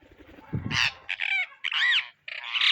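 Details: Indian ringneck parrot searching for seeds, giving loud, raspy, grating squawks in four or five drawn-out bursts after a short low rumble at the start.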